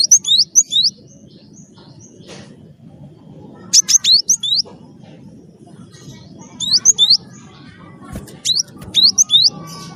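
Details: Java sparrow singing to coax other birds into song: four short bursts of high, hooked chirps spaced a few seconds apart, each a tight run of rising notes, over a steady low background hum.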